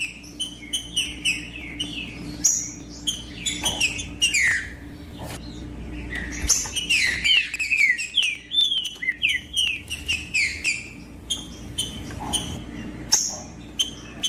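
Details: Green-winged saltator song used to stir reluctant birds into singing: dense run of quick whistled and chattering notes, several overlapping phrases, busy and continuous over steady background hum.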